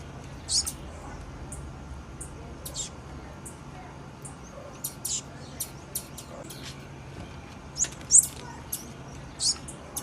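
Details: Female blue-black grassquit calling: short, very high, thin chips scattered through the clip, with three sharper peaks, over a steady low hum and soft clicks.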